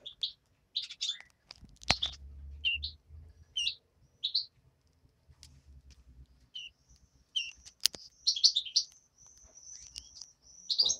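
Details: Tame hand-reared European greenfinch nestling giving scattered short chirps in irregular bursts, plus a thin high sustained whistle toward the end and a couple of sharp clicks and low thumps.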